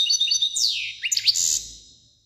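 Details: European goldfinch singing a bright, high twitter of quick chirps, then several sharp sweeping slurred notes gliding down and up, fading away toward the end.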